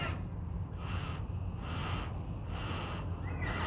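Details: At Nerrina, Victoria, in 1999, black cockatoos give a regular series of breathy, rasping pulses, about three in two seconds, over a constant low rumble.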